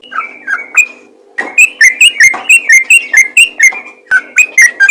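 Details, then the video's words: Yellow-vented bulbul calling to nearby bulbuls: a few loose whistles, a pause, then a quick bright series of short dipping notes with a short break before the last burst. "BURUNG TRUCUKAN ROPEL GACOR MEMANGGIL TRUCUK LAIN PASTI LANGSUNG NYAUT"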